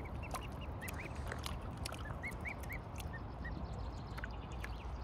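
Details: Mute swan cygnets giving a steady series of soft, high, short peeping notes, each rising and falling, several a second at first and then sparser, over a loud rushing, water-like background.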